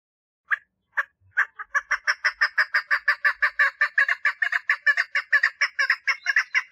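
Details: Mating call of a female chukar partridge: a few isolated clucks build into a rapid, sustained series of harsh, chuckling notes, growing steadier and fuller as it continues.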